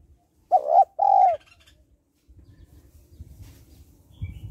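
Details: Female spotted dove call meant to stimulate males: one clear phrase of a short double note then a long falling coo, followed by low rumbling background.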